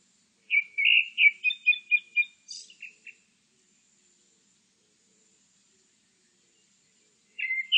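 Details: Grey-backed thrush song phrase: a rapid run of about seven bright whistled notes, rising and falling, ending in a few softer notes and a high thin squeak. A pause of several seconds follows before the next phrase starts.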